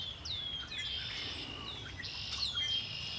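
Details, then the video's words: Birds by Lake Erie sing a quick run of descending whistled notes, three or four in a row, layered over a steady high buzzing trill. "Birds singing by Lake Erie"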